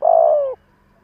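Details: A single drawn-out, slightly throaty coo from a captive spotted dove used as a decoy for wild doves, steady in pitch and dropping at the end.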